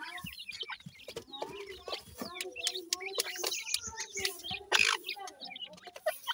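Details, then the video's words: Francolin chicks feeding: a dense chorus of short chirps and soft clucks from several birds, overlapping quick notes, rising and falling, with sharp clicks throughout. "pheasant k chicks ki long awaz"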